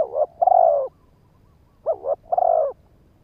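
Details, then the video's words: Decoy spotted dove calling to stir up and lure other males: two low, mellow coo phrases, each a short bent note followed by a longer throaty hoot, separated by a pause of about one second. "Tiếng chim cu gáy kích bổi"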